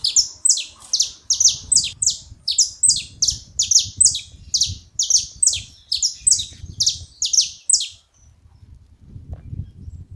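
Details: At a feeding spot, a saffron finch sounds a long, steady series of bright, high, downward-slurred chips, roughly two per second for eight seconds, then stops; soft low background rumble throughout.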